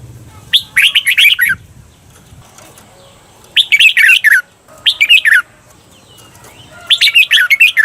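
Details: Red-whiskered bulbul kept as a cage bird, training recording: short bright phrases of quick downslurred whistles, four phrases in eight seconds separated by pauses, faint low hum beneath.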